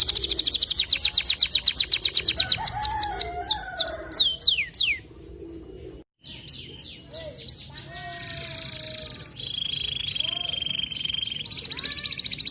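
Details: White canary singing continuously in long bursts: rapid high trills of repeated notes, then downward-sweeping whistled slurs, a brief pause, then more varied chirps and a sustained high buzzy trill.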